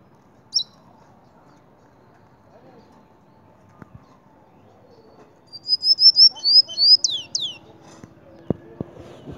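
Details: Cinnamon-rumped seedeater (dominico) singing in Mérida, Yucatán: after a single high note, a quick run of about ten high whistled and slurred notes, some falling sharply, with a few knocks and rustles at the end.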